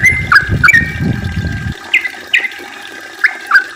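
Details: Yellow-vented bulbul song in a long, rapid 'ropel' style, played as a lure to get other bulbuls active and singing: short bubbly notes sliding around the mid-high range, repeated irregularly, with a rough low rushing noise over the first two seconds.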